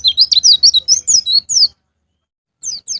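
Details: White-eye singing to prompt caged birds to sing: a quick run of high, sharp, downward-sweeping chirps about every fifth of a second, a pause of nearly a second, then a few more thin chirps.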